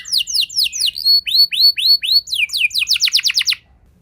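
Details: Canary song used to prompt other canaries to sing: clear slurred whistles repeated about four per second, rising and falling, ending in a quick burst of sharp notes before silence.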